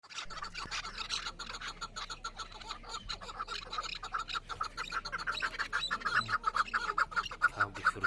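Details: Chukar partridge in the Pamir, recorded on a hunt: rapid rhythmic clucking notes, about two per second, building louder and more regular toward the end, with faint human voices low in the background.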